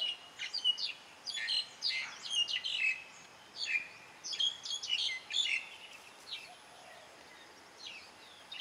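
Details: Birds singing in the morning at a farm in Mae Suai, Chiang Rai, Thailand: bright, high chirps and quick twittering phrases from several birds, coming in clusters with short gaps, over a soft steady hiss.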